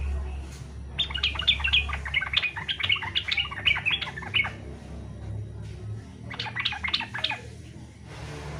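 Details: Yellow-vented bulbul singing fighter style to get other bulbuls singing: a long, fast bubbling warble of about three and a half seconds, a pause, then a shorter burst, with faint background hum.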